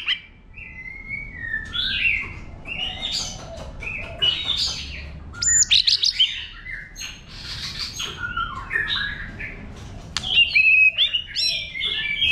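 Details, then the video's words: White-rumped shama singing its wild-type song, used to stimulate other birds: varied clear whistles, sliding notes and short chattering phrases with brief pauses between bursts. The song grows louder and denser near the end, over a faint low hum. "chòe lửa hót giọng rừng kích bổi"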